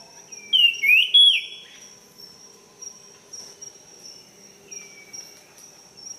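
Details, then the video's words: Wild jungle flycatcher, known locally as tledekan, singing a sweet, loud whistled phrase of rising and falling slurred notes near the start, then softer warbles, over a steady high insect drone. "𝗞𝗶𝗰𝗮𝘂 𝗕𝘂𝗿𝘂𝗻𝗴 𝗧𝗹𝗲𝗱𝗲𝗸𝗮𝗻 𝗠𝗲𝗿𝗱𝘂 𝗝𝘂𝗻𝗴𝗹𝗲 𝗙𝗹𝘆𝗰𝗮𝘁𝗰𝗵𝗲𝗿 𝗔𝗹𝗮𝗺 𝗟𝗶𝗮𝗿"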